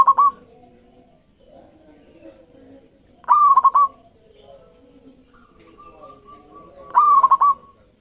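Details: Zebra dove of the local kind singing to provoke others to sing: three phrases of a rising note and a quick trilled series of coos, spaced about 3.5 seconds apart, with soft cooing from other doves between.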